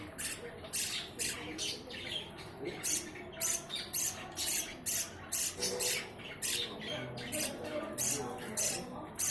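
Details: Budgerigar chicks in a small breeding colony of four pairs in Indore give harsh, rapid squawking begging calls in short repeated bursts while being fed by adults.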